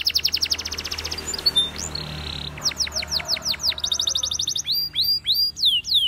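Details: Spanish Timbrado canary training song opening with a fast rattling trill, a softer muffled buzzy passage, then crisp downward-sweeping whistles and another rapid roll before looping slurred notes.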